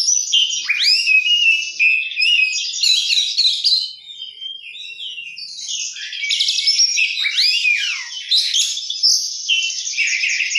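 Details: Kacer, the oriental magpie-robin, in full gacor song with luxurious isian: dense twittering phrases of whistles and chattering trills, a brief softer lull near the fourth second, then strong varied sweeps and rattles.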